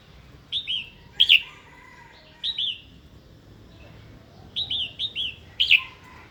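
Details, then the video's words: Female red-whiskered bulbul used to excite a wild-caught male into singing and fighting; paired and tripled sharp downslurred chirps in brief bursts with quiet gaps between. "Chào mào hót tiếng mái kích bổi"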